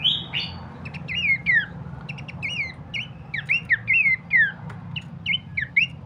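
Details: Bush babbler (pelanduk semak) song used as a lure to provoke other birds to respond and sing: sharp downslurred whistles with short upward flicks, in spaced bursts, over a faint low-pitched hum.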